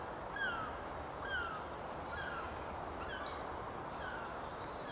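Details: A western jackdaw at its nest in late April gives short, slightly falling 'chak' calls, roughly one each second, over a steady hiss of wind or background noise.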